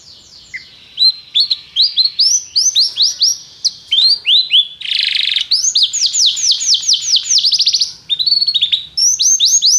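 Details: Canary song used for training other canaries: rapid rolling trills of downward-sweeping notes, a buzzy harsh burst midway, then quick rising chips, bright and high-pitched throughout.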